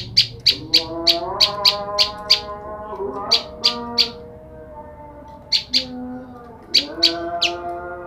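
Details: A female olive-backed tailorbird, separated from the male, keeps calling to him. Bright, clipped high notes come in rapid bursts of up to eight, with pauses between bursts. A faint low tonal hum runs throughout.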